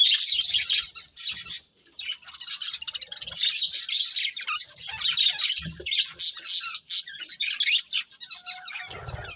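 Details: Flock of pet budgerigars at their food, chattering steadily with rapid high chirps and rasping warbles, broken by a short lull near two seconds; a low thud near the end.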